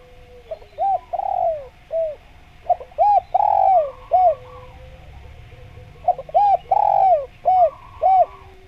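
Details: Lure recording of an actively calling spotted dove: three phrases of clipped arched coos, each with a long sliding croon, separated by pauses of a few seconds. A steady low tone continues throughout.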